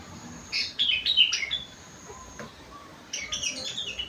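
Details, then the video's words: Sooty-headed bulbul performing rengganis and cucak wilis isian: a quick sharp twittering phrase with short whistled notes, a silent gap, then a second softer rambling warble; light background hiss. "burung kutilang isian rengganis / cucak wilis"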